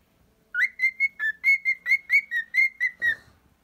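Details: Pet cockatiel giving a quick string of about a dozen clear whistled notes, mostly level in pitch with a few dips, ending in a slight rustle.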